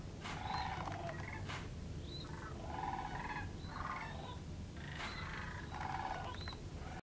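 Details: Sandhill cranes on the frozen Platte River give repeated rolling, guttural bugles in several overlapping bursts. Higher, thin squeaky notes break in between, and a constant low rumbling noise runs underneath.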